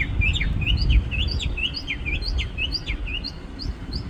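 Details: From the top of a parking-lot tree, a bird sings a rapid, bouncy series of high chirps alternating between rising flicks and short downward slurs, about four notes a second, over a soft low rumble.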